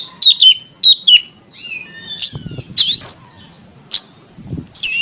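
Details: Oriental magpie-robin song played to stir other magpie-robins to sing: three repeated short whistled phrases, then buzzy notes and harsh, noisy bursts with faint low thumps.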